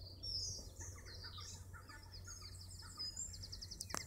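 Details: A Garden Warbler in full song at Dukes Head Passage, Bushy Park, gives a fast, continuous, mellow warble of rich chattering notes; a brief high rapid series, possibly another bird, comes near the end over a low rumble.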